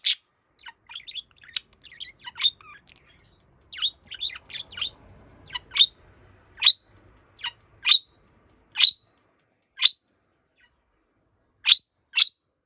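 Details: A pet budgerigar calls intensely while on its own. A busy run of mixed chirps gives way to evenly spaced, piercing high single calls about one per second, some paired.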